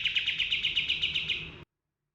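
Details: Pied triller, known locally as kapas tembak, in a recording meant as training material for cage birds: one fast, buzzy rolling trill of about nine pulsed notes, high and steady, lasting under two seconds before cutting off.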